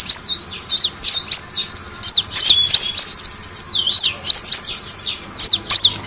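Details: Sunbird calling to draw in birds: a run of looping, high whistles, each dipping and rising, then a sustained shrill twitter and more looping notes.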